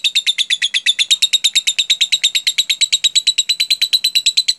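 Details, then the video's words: Lovebird performing 'jeda rapat' song, a lure for training other lovebirds: very even, rapid series of clipped high chirps, about seven or eight per second, steady throughout with no pauses. "pancingan LOVEBIRD jeda rapat"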